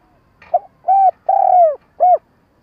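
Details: Spotted dove used as a trapping decoy, its stammering call opening with a soft pickup note, then a rounded coo, a long drawn-out falling coo and a short closing coo, heard clearly with no background.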